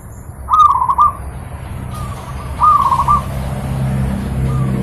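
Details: Pet zebra dove song recorded as training material for other birds: two clear cooing phrases about two seconds apart, each a rising note and quick rolling coos, plus fainter phrases and low hum.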